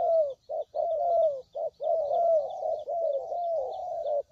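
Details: Spotted dove lure recording for bird trapping, packed with soft hooting coos that flow almost continuously, each note dipping gently in pitch, with few short pauses.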